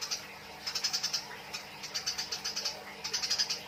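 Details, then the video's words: Eurasian tree sparrows fighting, giving bursts of fast, scratchy high chirps, several runs of six to ten notes across the stretch. "MASTERAN GEREJA TARUNG || SUARA BURUNG GEREJA || BURUNG GEREJA NYRECET"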